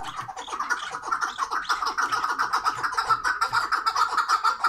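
Partridges give a steady run of harsh, clucking chuk notes, about two per second, overlapping as several birds call together.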